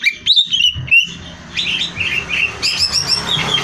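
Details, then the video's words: Greater green leafbird song meant for competition training: sweet slurred whistles and short chattering bursts, then a run of quick warbled notes, over a steady low hum. "Cucak Hijau Gacor Hiper Ampuh Buat Bahan Lomba"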